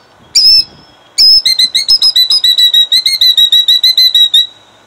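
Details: Female killdeer guarding her eggs in Jackson, New Jersey, 2008: two loud, shrill piping notes, then a long rapid trill of high, even notes, about a dozen per second, that holds steady for three seconds.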